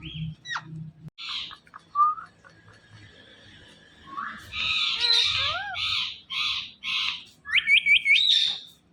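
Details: Pet Indian ringneck parakeet, described as talking and dancing, gives sharp squawks, a short rising whistle, then a run of loud harsh calls and quick upward chirps near the end, with quiet pauses between.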